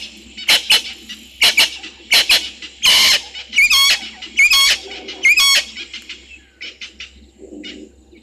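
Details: Spurfowl at Gowrie dam waterhole, Djuma Game Reserve, Sabi Sand, South Africa, at 17:04 on 22 August 2023, giving a raucous, grating series of harsh screeches and cackles about once a second, loud and high-pitched, with a quieter answering call at the end.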